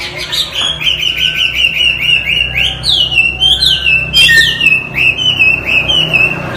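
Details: Chinese hwamei in full, energetic song used for tutoring other songbirds: loud, clear whistled phrases, rapid rising and falling slurs, with short trills and a sharp upward sweep midway.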